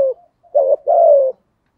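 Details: Brief 'giọng thổ' cooing from a spotted dove used as a decoy for wild birds: a short note, then a clipped hooked note and a long, steady, slightly burry coo.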